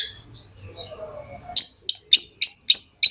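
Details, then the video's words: After a quiet start, a tame lovebird gives a steady series of six sharp, high, ringing chirps roughly three per second. "Love birds Sounds | lovebirds chirping sounds"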